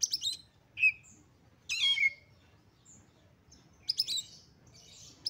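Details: Excited Oriental magpie-robin singing to provoke rival magpie-robins. A few high, harsh, scratchy phrases mixed with a downslurred whistle, spaced by short pauses.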